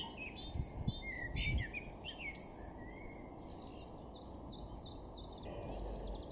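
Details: Great tit singing in a garden in Weener, East Frisia, north-west Germany, in April 2022: bright, high two-note phrases repeated at a steady pace, after a jumble of other birds' chirps, over low rumbling background noise.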